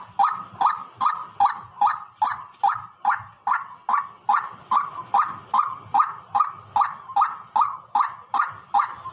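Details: Over a farm field, a white-breasted waterhen repeats a hoarse, honking note about two and a half times per second, in a steady rhythm that rises and falls slightly in loudness. A faint high whine carries through.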